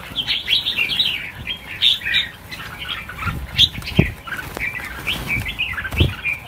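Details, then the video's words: Many red-whiskered bulbuls set free together in a mass release of 1000 birds, giving a dense chorus of quick, warbled chirps and squeaky phrases with scattered wingbeats and thumps. "Phóng sinh 1000 con chim chào mào - chào mào căng lửa"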